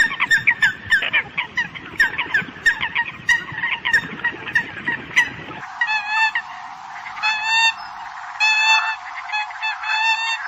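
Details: Eurasian coot flock call: a noisy, overlapping chatter of honks gives way to clearer, drawn-out, wavering nasal calls repeated every second or two.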